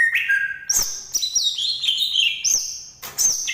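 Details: Banyuwangi green leafbird singing a fast varied run of bright whistles, jumping from mid to very high notes and gliding downward in steps, with sharp clicks between phrases.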